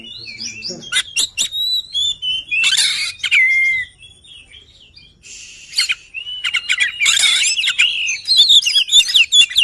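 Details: Varied song from an oriental magpie-robin: rising and falling whistles interspersed with harsh scratchy notes and clicks, a short quieter pause, then renewed warbled whistling and chatter.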